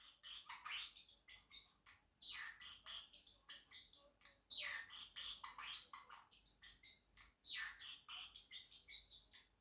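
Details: Pacific parrotlet kept as a pet, chattering and chirping steadily: dense, scratchy, high-pitched notes tumbling one after another for nearly ten seconds, with louder accented chirps every couple of seconds over faint room noise.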